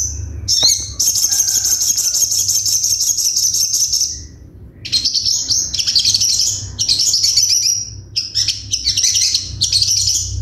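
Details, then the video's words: High, fast, buzzy trills from a sogon (ruby-cheeked sunbird) in sharp 'tembakan' style, sung in several long phrases broken by short gaps, over a faint steady low hum. "MASTERAN SOGON FULL TEMBAKAN TAJAM"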